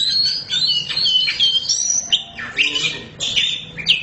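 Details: Oriental magpie-robin of the black form (kacer hitam) singing gacor: busy high chirps and swooping whistles, some sharply falling, in quick changing phrases.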